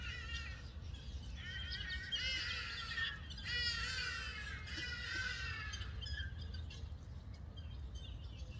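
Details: Roosting guineafowl in Gqeberha, South Africa, calling back and forth from tree to tree at night; rasping, rattling cackles in dense runs, building in the middle then fading, with a low hum beneath.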